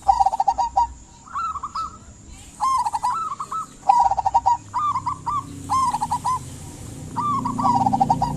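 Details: Local zebra dove cooing to encourage quiet doves to sing: repeated short trilled, bubbling coo phrases in quick succession, slightly rising then falling, with background rustle and faint high chirping.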